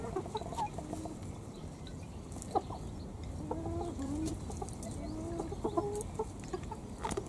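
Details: Flock of miniature booted Pekin Bantam hens, colorful pet chickens, giving soft, short low clucks scattered through the recording, some in quick pairs and small runs, over steady background noise with occasional faint clicks.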